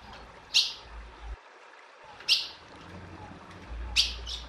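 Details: Female ultramarine grosbeak calling: three short, sharp high chip notes spaced roughly every one and a half to two seconds over a steady background hiss.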